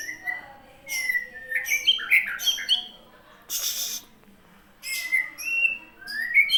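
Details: Aceh white-rumped shama singing bright whistles that slide upward, then a cluster of quick varied notes, a pause with a short hiss, and more rising whistled phrases to finish.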